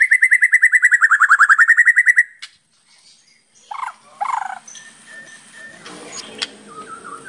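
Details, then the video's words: White-rumped shama in full, varied song, used as a lure to start other shamas singing: a fast, even trill of rapid notes lasting two seconds that dips then rises, then scattered soft chirps and clicks. "SUARA MURAI BATU GACOR FULL ISIAN | PANCINGAN MURAI BATU GACOR"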